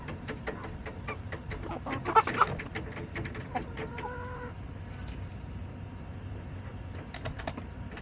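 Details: Backyard chickens on July 17, 2024: scratchy rustling and clicks, then a short wavering nasal call with stepped harmonics, trailing off into low background noise and occasional knocks.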